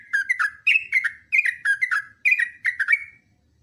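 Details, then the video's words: Yellow-vented bulbul in vigorous, long continuous ropelan song used as a training recording: quick bubbly, liquid notes in short bursts with a brief gap between phrases, ending in a trailing note, then silence. No other sounds. "TRUCUKAN GACOR ROPELAN PANJANG"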